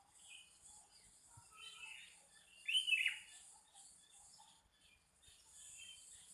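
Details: Birds singing and answering one another on a morning at Pananjung Barat: scattered thin chirps, then a louder burst of quick twittering notes near the middle, over a steady high hiss with faint background sounds.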